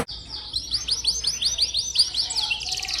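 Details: Canary singing, meant to draw a response from young or lazy canaries: rapid repeated rising-then-falling whistled syllables in a steady trill, ending in a harsher buzzy burst, with faint low background noise.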